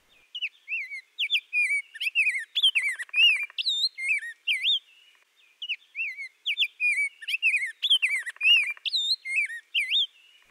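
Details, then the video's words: A Rose-breasted Grosbeak in spring in the central and eastern United States sings two long, sweet, robin-like warbled phrases of about five seconds each, like "cheer up cheerily cheerio", at a bright mid-high pitch, with a brief buzzy undertone midway. "the rose-breasted grosbeak has a very pretty melodic song that can sound similar to cheer up cheerily cheerio"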